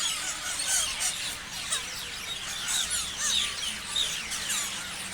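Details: Parrots chirping as a flock: repeated curved, slurred chirps and sharp squeals pile over one another, the loudness swelling and dipping in short bursts throughout.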